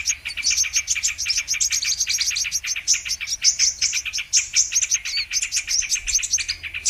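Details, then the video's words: Brown-throated sunbird song used as a trapping lure: fast, unbroken high-pitched twittering of sharp ticking chirps repeated many times a second, steady throughout. "Mp3 Pikat Burung kolibri MANGGAR/KOLIBRI KELAPA"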